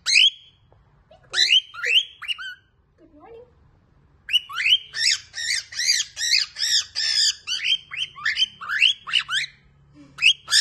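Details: Angry lutino cockatiel in a fit, screaming: harsh, buzzy screeches in an early pair, then a long, rapid run of repeated rasping squawks, with a soft low sound in a brief pause.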